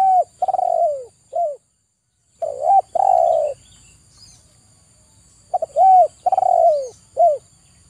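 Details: Spotted dove cooing, kept for song therapy for a stressed bird reluctant to sing: low, mellow coos in groups, short stuttering notes leading into a long drawn-out coo and then a brief closing note, with quiet pauses between phrases.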